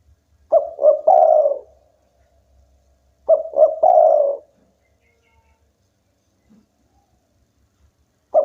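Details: Energetic local spotted dove singing to provoke rivals into answering: repeated phrases of two short soft coos and one longer, louder coo, spaced roughly three seconds apart, with faint knocks between.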